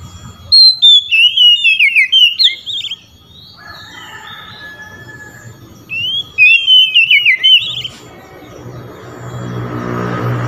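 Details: Oriental magpie-robin calling rivals with loud song while other magpie-robins respond. Two bursts of fast, tumbling whistles are separated by a softer long note, and a rumbling mechanical noise builds toward the end.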